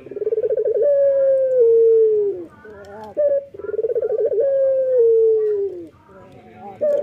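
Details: Morning song of a male local Barbary dove, vigorous and frequent: a bubbling, throbbing coo running into a sustained mellow note that slides down at the end, given twice with a short sharp note between phrases.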